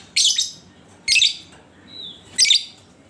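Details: Lovebird sounding as a lure to draw song from other lovebirds: three grating, high-pitched squawking bursts roughly a second apart, with a faint thin whistle between the second and third.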